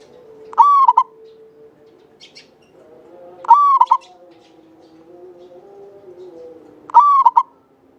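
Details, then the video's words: Local Java zebra dove singing actively, its voice long and clear, used as a lure bird: three phrases of a held coo and a quick double note, over a steady low background hum. "Perkutut lokal jawa gacor buat pancingan suara panjang bening"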